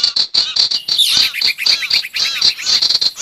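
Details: Recording of sirtu used as a lure for wild birds: rhythmic high chirps about five per second, mixed with curved descending notes and a rising sweep.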